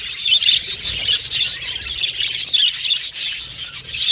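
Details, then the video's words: Budgerigars singing and playing together. The chatter is loud, raspy and continuous, made of scratchy warbles and sharp high chirps packed tightly together. "Budgies Chirping Sound"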